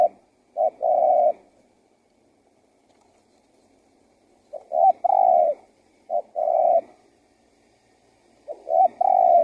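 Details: Spotted dove call for luring wild birds: phrases of a quick coo then a longer falling coo, separated by pauses of several seconds, in otherwise quiet surroundings.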